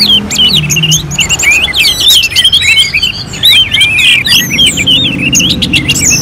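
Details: Orange-headed thrush from Singaraja in North Bali, singing in a simulated contest setting: unbroken stream of high, fast, looping whistles and twittering slurs that pack closely together for the whole stretch.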